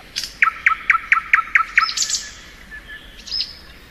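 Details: Singing thrush nightingale in spring: a rapid series of about eight bright chopped notes, a harsh burst, then faint high whistling in the background.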